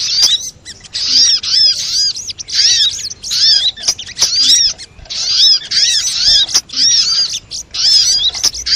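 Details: Brown-throated sunbird lure call, played to draw sunbirds in and make them sing: bursts of busy, high twittering and chattering, each lasting about a second. The bursts repeat in quick succession with short gaps between them.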